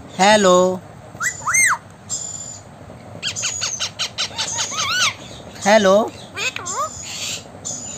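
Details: A blue Indian ringneck (rose-ringed) parakeet talking, saying phrases like "I love you", "hello" and "meow": bursts of wavering, harmonic, speech-like notes and sharp rising squawks, with faint background music.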